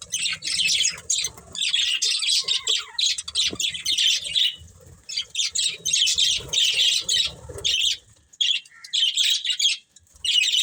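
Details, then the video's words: Budgies from a breeding pair give loud, scratchy chattering bursts of high chirps and squawky notes, coming in clusters with brief quiet gaps between them. "Cute Budgies Chirping Sounds"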